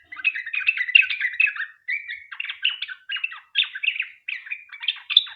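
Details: Sooty-headed bulbul singing a long rapid chatter that serves as a lure for other bulbuls: a burst of bubbly notes, then steady repeated slurred phrases separated by tiny gaps.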